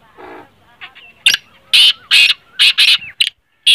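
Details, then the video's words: Black francolin call of the kind played to rouse a kept francolin into calling: harsh, grating broadband bursts in a quick uneven series, preceded by a faint low murmur at the start. "kale teetar ko jaldi mast kerne wali awaz|kale tetar mast awaz| تیتر بولائی نہیں کرت یہ آواز سنائیں"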